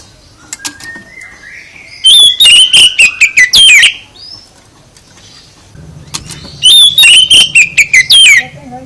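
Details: Oriental magpie-robin singing to provoke a reply from other birds. Two loud bursts of rich whistled and sliding notes, separated by a quiet gap that holds a few faint chirps and a soft low hum.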